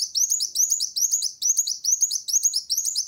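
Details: Sunbird in vigorous song, challenging a rival: a continuous run of very high, sharply up-swept chirps repeated about twice per second in quick, slightly uneven succession, with no other sounds.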